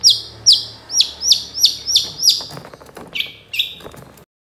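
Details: Long-tailed shrike song used as a lure to prompt reluctant shrikes to answer and sing: about seven sharp downward-slurred notes, roughly three per second, then two flat, level whistled notes before fading.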